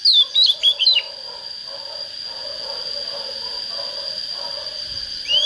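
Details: Young Oriental magpie-robin entering breeding condition, opening with a quick phrase of sliding whistles, while a lower repeated chirping runs steadily beneath and a shrill constant tone persists throughout.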